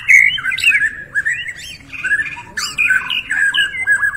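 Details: Borneo White-rumped shama singing with rich mimicry, used as a lure for non-singing shamas: continuous loud, rolling warbled whistles with rasping overtones, in two long phrases.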